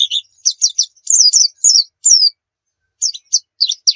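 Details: White-eye nembak song meant to lure other birds: brisk high chirps, a few longer falling slurs, a brief pause, then more short sharp notes in quick pairs.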